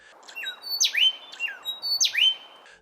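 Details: Superb lyrebird in southeastern Australian forest at morning mimics a pilotbird's rolling cascade: a falling whistle, then a loud, high sweeping phrase with a ringing tail, given twice about a second apart.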